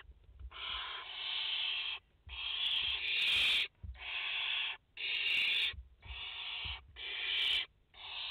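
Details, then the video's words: Barn owl mother with four chicks at the nest in France, 30 August 2021, live nest recording: long harsh hissing screeches, about a second each, repeated in a steady series with short gaps, faint low knocks beneath. "Chouettes effraies en direct - Płomykówki - Mama i 4 pisklęta"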